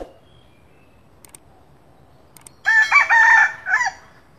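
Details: Morning crow of a red junglefowl recorded during luring: after near-silence broken by a few faint clicks comes one loud, harsh crow lasting just over a second, with a strained middle and a short tail.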